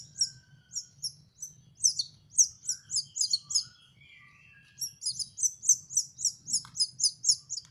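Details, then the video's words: Young canary learning to sing, giving repeated high chirped phrases about four per second, a pause with soft lower warbled notes, then a fast even run of bright chirps. "BELAJAR MELOLOH ANAKAN BURUNG KENARI"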